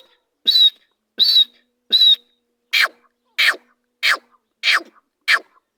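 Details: A kept partridge (teetar) calling: eight loud, harsh bursts about every two thirds of a second, the first three carrying a ringing high tone, the rest rasping downward sweeps; no other sounds.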